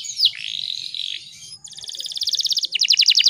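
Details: Female canary kept in captivity singing to prompt males to sing; a sharp falling note and a long buzzy steady phrase lead into a rapid high rolling trill, then a run of quick descending sweeps.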